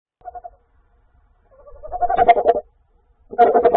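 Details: A tawny owl, recorded 21 January 2024 and calling a lot, gives three bursts of harsh, quavering mid-pitched calls; the middle burst is longest and rises into a rough, buzzy wavering.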